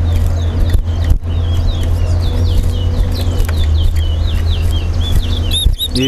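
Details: Chestnut-bellied seed finch (Sporophila angolensis), a towa-towa, in a Guyana bird-club whistling competition sings a fast, continuous run of sweet warbled whistles, slurring up and down, over heavy low rumble, music and murmuring voices.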